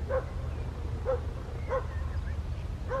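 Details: Western jackdaw at Landtong Rozenburg, South Holland, the Netherlands, 27 May 2023, giving short, sharp 'tchak' calls, four in three seconds at an uneven pace, over a steady low rumble of wind or distant traffic.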